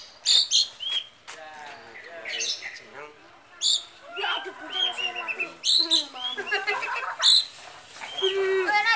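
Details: A long-tailed shrike gives a varied, chattering song of harsh scratchy phrases, warbled notes and sharp high chips, with short pauses between bursts.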